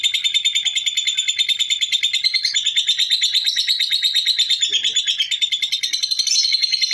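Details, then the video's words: Lovebird in long, continuous ngekek chatter: an unbroken stream of rapid, harsh, high chirps pulsing about three times a second without pause for the whole stretch, with no other sounds. "Burung Lovebird Ngekek Panjang"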